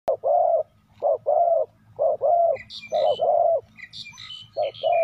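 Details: Decoy spotted dove cooing to lure wild doves: pairs of soft, hollow coos, a short note then a longer rolling one, repeated about once a second, with higher chirping from other small birds in the background.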